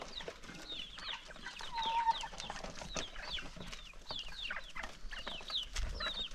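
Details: Hungry chickens gather for their morning feeding in the countryside, pecking and clucking; a stream of high, downward-curving peeping calls over pecking clicks.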